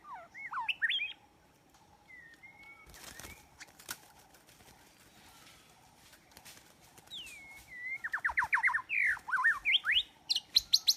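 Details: White-rumped shama song played as a trapping lure: rich whistled slurs, a long even whistle, then a fast run of sharp descending notes and rising sweeps, broken by clattering knocks and rustling.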